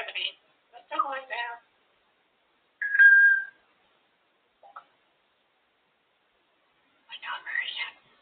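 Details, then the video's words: A pet African grey parrot, female, out of its cage and very talkative, gives short bursts of speech-like chatter, a clear rising whistle near the middle and a final garbled phrase, with quiet pauses between. "African grey parrot just enjoying her time out of the cage. Really talkative."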